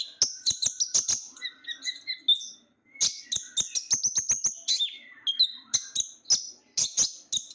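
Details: Small sunbird known locally as konin or ninja bird, prized by keepers for its shrill yet loud song: clustered rapid chips, a softer run of lower twittering notes, then renewed bursts of high squeaky notes with sharp clicks.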